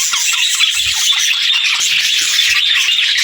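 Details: Budgies keep up a lively, overlapping twitter of quick shrill chirps and buzzy notes, a constant high-pitched flock chatter with no pauses.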